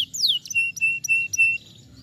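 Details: Canary, whose voice is used to get a silent bird singing again: a sharp descending whistle followed by four clear level piping notes with bright high overtones.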